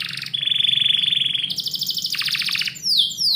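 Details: Canary singing indoors in the morning: a fast, even trill held near one pitch, then a broad buzzy rattle stepping lower, ending in bright downward-sweeping whistles; a low steady hum underneath.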